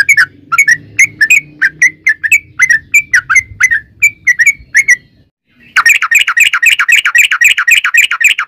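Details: Lure song of a yellow-vented bulbul in long 'ropel' style: a run of separate slurred chirps, a brief silence, then a dense, fast, chattering outburst of overlapping notes.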